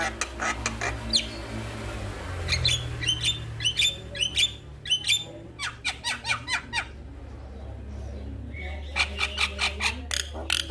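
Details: Male Javan myna delivering loud harsh chatter and squawks in bursts, with scattered whistled notes and a pause midway, over a low droning background.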